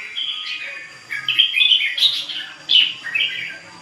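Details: Ché bird singing without a break. Brief whistled phrases of sliding, bell-like notes and rapid twittering come in bursts separated by short quieter gaps.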